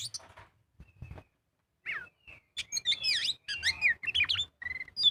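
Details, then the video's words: Oriental magpie-robin singing in the excited ngobra style, used as a lure to prompt other birds to sing: a quiet start, then from about two seconds a rapid run of sharp, varied whistled notes and slurred rising and falling phrases. "Pancingan burung kacer gacor full ngobra"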